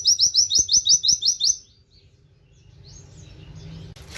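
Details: Caged oriental white-eye singing, mimicking a canary's wit-wit phrase, kept as a tutor for other birds: a rapid run of about eight high buzzy notes in 1.5 seconds, then quiet with faint distant chirps.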